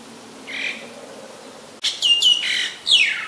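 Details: Common Myna recorded on May 3, 2022 in Ubon Ratchathani, Thailand, with a Nikon P1000: a soft short note, then a loud burst of harsh squawks and falling, sliding notes in quick succession.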